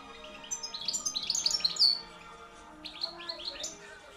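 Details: A hand-reared European goldfinch from 2013 sings loudly, a fast, liquid run of tinkling, twittering notes, bursts of bright high chirps and trills with short pauses between phrases.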